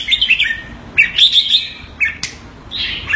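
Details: Singapore pet red-whiskered bulbul calling on command: a short series of bright chirps, then a rapid rattled keke burst, a sharp click, and more chattering notes.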